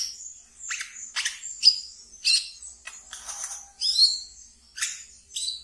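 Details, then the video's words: Wiceh, a brown-throated sunbird from a keeper's collection, in lively ngeriwik twittering used as a lure: sharp high squeaks and noisy bursts, irregularly spaced, with short thin whistled notes. "Wiceh Ngeriwik Yang Asyik Untuk Di Pelihara dan bisa untuk Pancingan Terapi Bahan kolibri kelapa"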